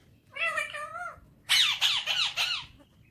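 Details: Morning vocalizing from a talking pet Alexandrine parakeet with Urdu/Hindi words: a drawn-out, voice-like harmonic utterance, a short pause, then four quick rasping squawks in a clean, quiet room.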